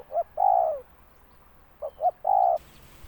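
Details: Spotted dove cooing twice, each phrase a quick pair of short notes leading into a sustained mellow coo that slides downward at the end, with little other sound.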